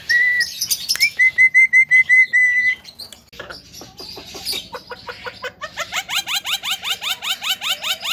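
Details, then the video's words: Talking Javan myna used as a lure to provoke other mynas: a run of eight steady whistled notes, then scratchy chatter, then a fast regular series of rising upswept whistles. "PANCINGAN SUARA KHAS JALAK KEBO PANDAI BICARA BIKIN JALAK LAIN EMOSI"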